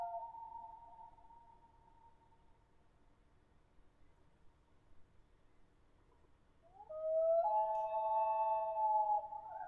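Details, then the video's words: Common loon giving a long, steady wailing note that fades into quiet, then a louder wail breaks in with an upward slide and holds a rich, slightly wavering tone to the end; faint low background rumble. "Loon Call"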